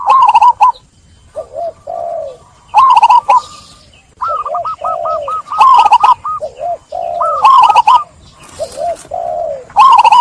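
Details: Lure recording of a caged zebra dove for reviving silent, stressed birds: repeated phrases of fast staccato notes each followed by lower rounded coos, cycling steadily over about ten seconds.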